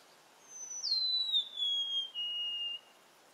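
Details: Golden-crowned sparrow (Zonotrichia atricapilla), song.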